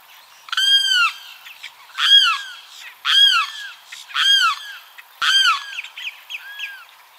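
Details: A Limpkin's song, used as a call to attract the bird, gives five loud, harsh wailing cries, each rising then falling, about one per second, with softer chatter between them.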